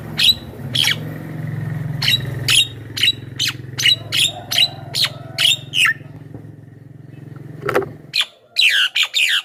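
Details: Javan myna sounds meant to attract wild birds and prompt caged ones to sing: a fast, uneven run of harsh, rasping notes with some whistled inflections, over a continuous low hum that stops near the end.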